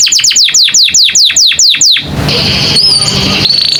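An American canary sings a bright roll of about ten high, downward-slurred whistles, five a second, then breaks into a hissy passage with a thin, sustained high note.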